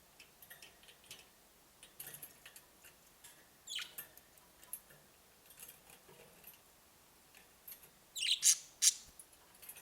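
Budgerigars give scattered high, sharp chirps and clicks, rising to a louder burst of squawky notes.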